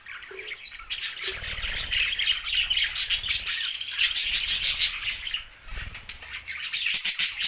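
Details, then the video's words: Budgerigar chirping blended with rapid wing flutters and clicking sounds, high twittering notes running almost continuously under sharp broadband ticks and brief low thumps. "Budgies parrot best chirping sounds"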